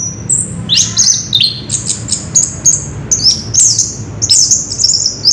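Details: Ngerol rolling song of an orange-headed thrush: very high, thin whistles and rapid chattering phrases follow each other almost without pause, with a faint low background hum.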